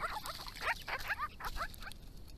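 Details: Grey-crowned babblers from a resident family group in Victoria, visiting water in hot weather and calling to each other; quick harsh chattering notes with bent, harmonic-rich downslurs, several per half second, over faint background rustle.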